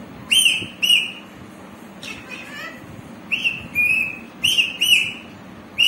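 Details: Green parrot giving clear whistled notes, mostly short flat or slightly bending tones, some paired, spaced irregularly over six seconds, with a brief burst of lower chattering in the middle; faint room hiss behind.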